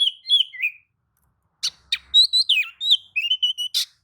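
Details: Oriental magpie-robin replying excitedly to another singer of its species: smooth warbled whistles, a pause, then rapid sharp clicks and a fast string of varied whistled notes.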